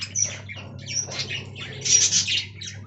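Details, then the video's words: Colony of budgies kept in an aviary: a dense, scratchy warble of chirps and squawks from several birds, brightening toward the end, over a constant low electrical-sounding hum. "Budgie Talking Compilation"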